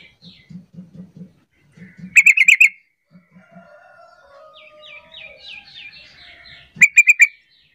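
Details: Sooty-headed bulbul lure call to make other bulbuls sing along: soft low thumping pulses, a rapid chattering burst of six notes, a descending series of thin whistles, then another chattering burst.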